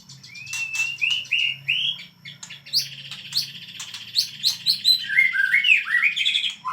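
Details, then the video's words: White-rumped shama singing loudly and excitedly: rich whistled phrases mixing slurred rising and falling notes with sharp clicks and buzzy trills, varied and continuous, with a faint low hum beneath. "burung murai batu kesurupan"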